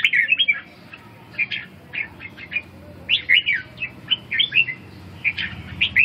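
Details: Red-whiskered bulbul singing short chattering, warbling phrases of a few quick notes each, spaced out by pauses of about a second, with a constant low rumble behind.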